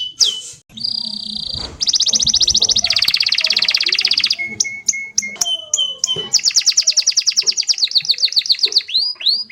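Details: Rolling canary song with a brief sweeping note, then long, fast buzzy trills of high notes, a stretch of sharp clicks and thin whistles, and a final rapid trill ending in rising sweeps.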